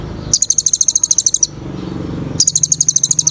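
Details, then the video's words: Lively olive-backed sunbird song used to coax quiet birds into singing: two long, very high, rapid stuttering trills of about twenty notes each, separated by a pause with low background rumble. "KOLIBRI NINJA GACOR FULL ISIAN TEMBAKAN"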